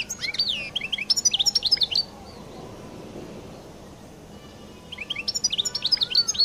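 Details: Singing European goldfinch of the Collo type, Algeria, in its distinctive song: two phrases of rapid varied twitters and slurred whistles separated by a silent gap of about three seconds.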